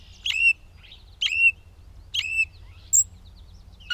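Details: Gray catbird in Bowdoinham, Maine, recorded 16 May 2020: squeaky, high chirped phrases with a sharp upper note and a lower whistled tail, repeated about once a second, with a thinner high note near the end over a quiet low hum.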